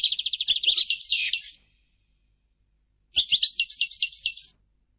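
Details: Singing European goldfinch delivering two phrases of rapid, buzzy-tinkling twitters, the first opening with a quick even trill, separated by a pause of about a second and a half.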